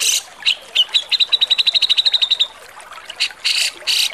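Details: Grey-cheeked bulbul (cucak jenggot) of Java singing harshly as a cage-bird tutor recording: a fast rattling trill of around eighteen notes, followed by several loud grating bursts.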